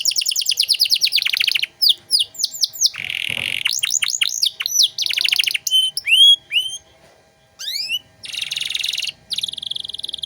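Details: Energetic 'gacor' canary with luxurious song phrasing for tutoring other birds: stuttering rapid trills, sweeping slurred notes, a nasal buzzy stretch, scattered sharp chirps and closing rattling rolls with short gaps.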